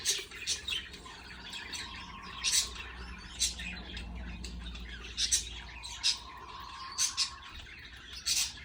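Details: Baby budgies calling as the parent bird feeds them, giving short scratchy high squeaks and raspy bursts in quick clusters over a soft low background drone.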